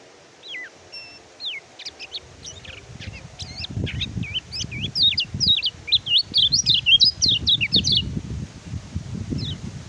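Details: Oriental white-eye song used as a training recording for birds that stop singing after moulting or fresh capture from the wild; rapid high twittering of thin rising and falling whistled notes, building in density, over low rumbling background noise.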